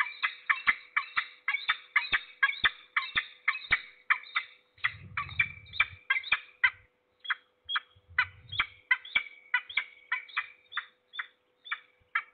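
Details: Peregrine falcon at its nest in Trzebież Forest District, Poland, on the morning of 6 September 2022; harsh, scratchy calls repeat rapidly about twice a second and later become sparser, with a few soft low thuds and a steady faint hum.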